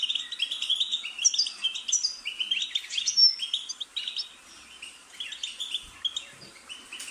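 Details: European goldfinch song played to encourage captive birds to sing: lively, fast twittering phrases with clear high whistles and buzzy trills, a bit softer toward the end.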